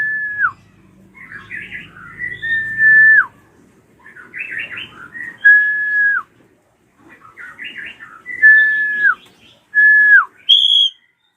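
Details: Ashy drongo screams meant to set young birds singing: phrases of busy chatter, each closing with a loud level whistle that slurs downward, repeated four times, ending in a high ringing note.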